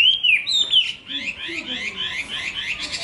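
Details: Chinese hwamei song: a clear downslurred whistle followed by a rapid jumble of softer, buzzy, rising and falling notes.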